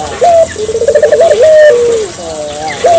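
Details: Barbary dove song meant to stimulate local doves: a single low coo, rippling then held and falling away, bracketed by brief flat louder notes at start and end, with background hiss.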